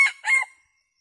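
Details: Crow of a decoy red junglefowl rooster luring wild junglefowl in to feed as a flock: the tail of the call in two harsh tonal bursts, followed by silence.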